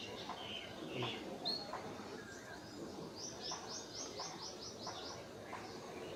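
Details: Scale-breasted munia recorded in Assam, northeast India, March 2025, giving a rapid series of about eight high, thin, arched notes in under two seconds, preceded by scattered chirps from other birds over low background noise.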